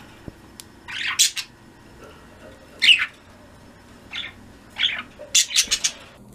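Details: Flock of pet budgerigars in the afternoon, several brief high chirps and squawky notes scattered irregularly across the recording, some in quick clusters, over a quiet indoor background.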